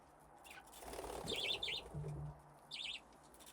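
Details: Budgerigars playing in an aviary with nesting boxes, flock grown from two pairs: soft rushing and a wing flutter, then two short bursts of wavering, buzzy chirps a little over a second apart.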